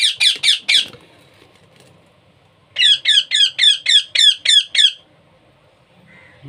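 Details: Hand-fed baby parrot begging: a burst of four harsh, raspy squawks, a pause, then a rapid run of about nine rhythmic, regular squawks, each roughly a quarter second apart, indoors and otherwise quiet.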